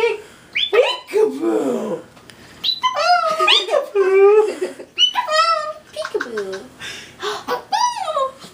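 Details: A pet Moluccan cockatoo playing peekaboo chatters in short, speech-like bursts every second or so. It gives rising and falling squawky words like "hello" and "hey".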